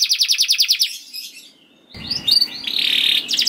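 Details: Canary song for prompting caged canaries: a rapid pulsing trill, a quiet gap, then a noisy rasping phrase with bright chirps at the end.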